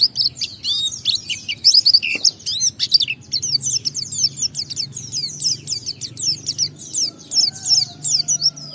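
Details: White-eye (pleci) in lively gacor song used to provoke other white-eyes into singing, described as ngalas and ngeplong style; a dense stream of high, twittering, sharply slurred notes runs almost without pause, over a faint low hum.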